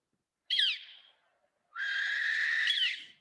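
Northern Flicker giving two harsh, raspy notes: a short, sharp downslurred cry, then after a pause a longer scratchy, buzzy note that drops at the end.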